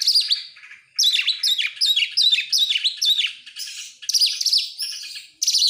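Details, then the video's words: Lure song of an oriental magpie-robin for getting other birds to sing: a long falling whistle, then dense runs of repeated downward-swept chirps and rasping notes in quick bursts. "buat pancingan Kacer sangat top buat burung mewah"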